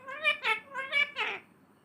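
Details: Parrot talking in a home setting: five quick, nasal, voice-like syllables in a short burst, the last one longer and slurred, followed by quiet.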